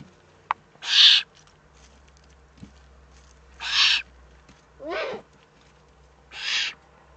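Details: Eurasian eagle-owl, Eifel region of Germany, 3 May 2014: four breathy, rasping bursts roughly every one and a half seconds, one with a quick falling squeal inside it, against a quiet background with a soft low drone.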